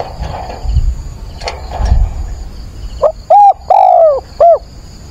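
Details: At dawn on 22 October, a decoy spotted dove calls to lure wild birds. Faint background cooing gives way to a loud close phrase: a short note, a doubled coo, a drawn-out falling coo and a short final note.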